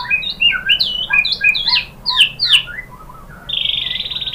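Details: Provocation song of a white-rumped shama, meant to set other birds singing: a rapid string of varied clear whistles jumping between high and middle pitches, ending in a steady buzzy, rattling high trill.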